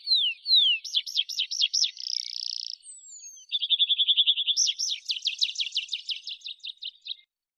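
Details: Rock pipit song: high series of rapidly repeated looping notes, a buzzy rattling stretch, then a fast run of short notes flowing into another long series of repeated swooping syllables that fades at the end.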